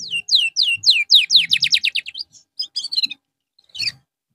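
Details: Canary song recorded as therapy for a bird that lost its form: a series of falling whistled slurs speeding into a rapid trill, then short chips and a single final note after a pause.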